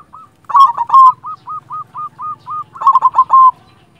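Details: Silver zebra dove, a local champion singer meant to stir silent doves into calling: a loud cluster of cooing notes, then a run of evenly spaced short hooked notes, ending in another loud cooing burst.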